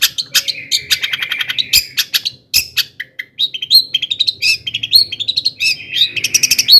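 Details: A long-tailed shrike pours out a varied, mimicking-style song to provoke other shrikes: buzzy trills, sharp chips, and quick squeaky phrases, changing pitch and rhythm often.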